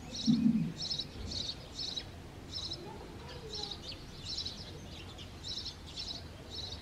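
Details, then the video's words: House sparrows at their clay nest during mating, with the male chirping near the nest site to draw a female. Bright, clipped chirps repeat in quick groups, with a brief low thump at the start and steady ambient hum. "House Sparrows Breeding on it's favorite Clay Nest"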